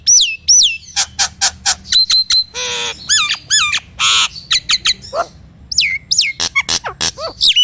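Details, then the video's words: Nias hill myna song meant to trigger silent mynas: dense run of loud ringing whistles, sharp clicks and two harsh rasping bursts, with steeply falling whistled notes toward the end. "PANCINGAN JALAK NIAS GACOR||ampuh atasi jalak yg diam dan macet bunyi!!"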